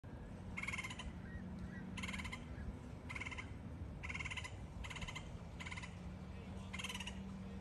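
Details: A juvenile red-headed woodpecker in a tree gives harsh, raspy, churring calls about once a second, each roughly half a second long, over a steady low rumble.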